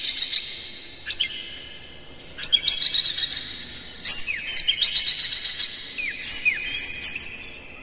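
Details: Oriental magpie-robin in full, vigorous song with rapid mimicked fill phrases, used as a lure to excite other magpie-robins: bright whistled notes and sharp downslurs in bursts that start suddenly after short pauses, over a steady high ringing background.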